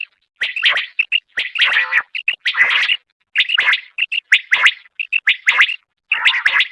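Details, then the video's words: Common quail female call used in quail hunting, Khyber Pakhtunkhwa: raspy, gurgling bursts alternating with short, bright chirps, continuous and uneven in rhythm. "batair sound"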